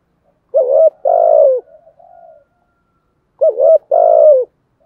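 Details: Spotted dove, thổ sấm style cooing to excite a decoy bird: two matching phrases about three seconds apart, each a wavering double note followed by a long buzzy falling purr, with quiet murmurs after the first.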